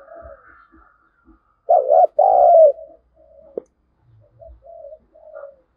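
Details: Lure spotted dove cooing to stir wild birds to fight: one loud phrase of a wavering coo and a longer falling coo near the middle, surrounded by softer distant coos and a sharp click.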